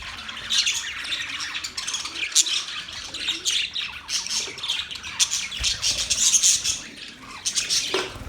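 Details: Budgerigar chatter of squeaky chirps and raspy warbles, with occasional sharper single notes standing out.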